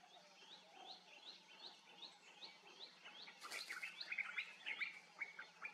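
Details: Brahminy kite (Red Backed Sea Eagle) chicks calling: a quick run of thin, arched high notes repeated about three times a second, then a burst of scratchy chirps and clicks over a steady background hum.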